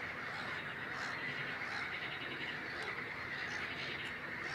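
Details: Wetland chorus recorded in May 2016 at Het Vinne, Zoutleeuw, Belgium, attributed to great crested grebes (Podiceps c. cristatus): steady, rapidly pulsing, grating notes with no pauses, plus a few sharp clicks.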